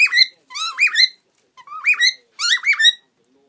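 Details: Pet parrot aged 18+ on a swing, 22 February 2015, twittering to another bird walking above it: four quick bursts of bright, warbling chirps that rise and fall, roughly one burst a second, with no other sounds.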